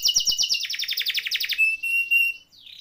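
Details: Canary singing a rolling 'ngeroll' song as a tutoring recording for canaries that no longer sing: a rapid bright trill slows into separate pulses, then a thin whistle and a soft fading end.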